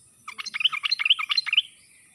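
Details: Sooty-headed bulbul singing a wild-style lure song meant to provoke silent birds into answering: one brief, bubbly phrase of about a dozen quick, liquid whistled notes rising and falling.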